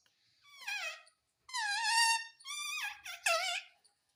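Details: Pet parrot in India speaking Hindi words, delivering four drawn-out, voice-like syllables with rich wavering tones, the second held longest, in a quiet indoor room.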